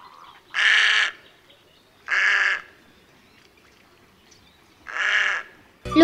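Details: Little Egret in Sri Lanka giving three harsh, rasping croaks, each about half a second long and spaced one to two and a half seconds apart, over quiet background.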